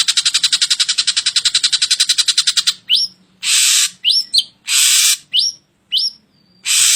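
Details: Drongo song used to train caged songbirds: a rapid rasping pulse train, followed by broad hissy blasts and quick upward-sweeping whistled notes in an irregular sequence.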